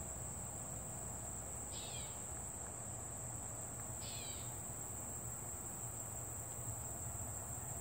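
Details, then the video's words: A bird calls twice in a sunny summer meadow, each call a brief, rapid downward-slurred burst about two seconds apart. A continuous shrill insect hum and low background rumble persist throughout. "A sunny summer meadow has a bird calling while the trees watch"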